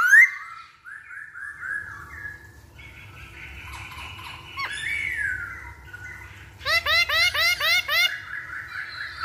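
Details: Masked laughingthrush lure song meant to set other birds singing. It opens with clear whistled phrases, quietens into soft mixed notes, then ends with a rapid chattering series of short harmonic notes.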